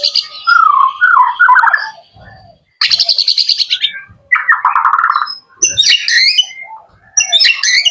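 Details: Young male white-rumped shama kept as a pet, singing in separate bursts: warbled low phrases, a high buzzy trill, and bright whistled notes, with short silences between them.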